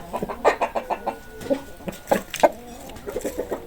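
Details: Short, punchy hen clucks repeated in an uneven series, some louder and more clipped, with softer murmuring notes between them.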